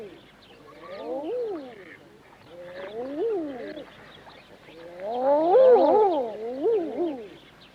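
Female common eiders calling in three bursts, several birds at once, with overlapping harsh notes that rise and fall in low-pitched arcs.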